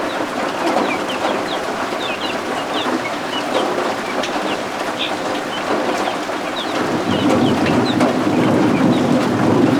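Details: Baby guinea fowl keets, just hatched and kept warm under a heat lamp, utter scattered high downslurred peeps in irregular bursts, with steady rainfall hissing behind and a low hum growing louder near the end.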